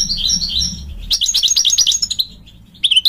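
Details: Male European goldfinch calling to the female: bright, high twittering notes, a brief pause, then a dense run of buzzy chattering chirps, silence, and a few final sharp notes.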